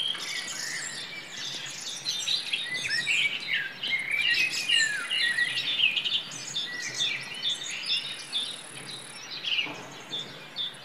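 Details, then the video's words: Common nightingale singing in a forest: a dense run of varied chirps, slurred whistles and rapid trills with other birds overlapping, over a steady high insect-like hiss. "The sound of a nightingale in the forest"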